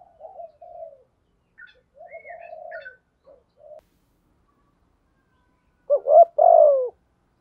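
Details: Spotted dove calling, male and female, meant for luring and training birds; several quiet soft coos with faint high notes in the first three seconds, then silence and a loud two-part coo near the end.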